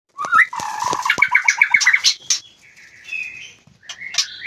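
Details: White-rumped shama in an aviary during mating season: a rapid run of clipped, repeated chip notes gives way to a sustained whistled tone, then scratchy, buzzy phrases, with sharp clicks throughout.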